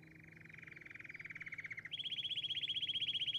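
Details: Canary singing a rapid, even pulsed trill at a middling pitch for almost two seconds, then switching abruptly to a higher, louder rolling trill of quick repeated notes that carries on to the end.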